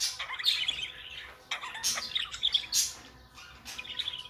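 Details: Pet budgerigars chattering with rapid, scratchy, high chirps and squeaky warbles that come in clustered bursts separated by brief pauses, with no other clear sounds.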